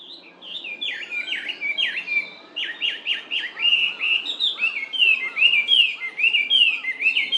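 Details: Chinese hwamei (Garrulax canorus), recorded close up on 19 May 2019, singing a loud, rich run of varied whistled phrases, rising and falling slurs repeated rapidly with little pause; faint lower notes from another bird underneath, possibly a Japanese bush warbler or narcissus flycatcher.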